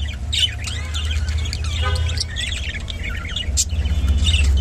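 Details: Rainbow budgerigar warbling in rapid twittering chirps and scratchy squeaks, one short buzzy harmonic note near the middle, over a steady low rumble.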